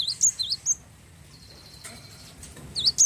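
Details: Java sparrow of the wingko variety, a frequent singer, singing to prompt other birds into song: a few sharp, high chipping notes, a steady thin whining tone, then two more bright notes.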